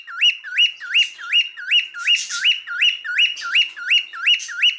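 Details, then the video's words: Steady series of rising whistles from a male cockatiel, about a dozen identical upswept notes delivered roughly three per second with regular rhythm, a faint hiss behind a few of them. "Erkek Sultan Papağanı Sesi Ötüşü"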